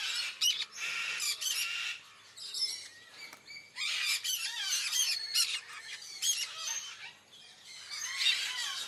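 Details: Sun conure screeches as birds compete for food at Taman Satwa Gurun Putih Lestari; loud, grating squawks come in clustered bursts of several notes, with short quiet gaps and a thin outdoor background between them.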